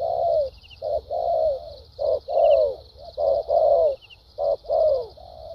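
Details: Wild-caught spotted dove with a good fighting temperament, singing in the lèo dặm and thúc gù styles: low, mellow coos in quick phrased bursts, each note sliding slightly downward, with a faint steady high hum behind.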